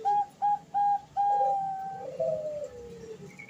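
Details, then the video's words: Bangkok perkutut female zebra dove calling for the male, a lure recording for learning birds; three short bright coos, then a long held note that slides downward into a fading lower tone. "suara perkutut betina memanggil jantan"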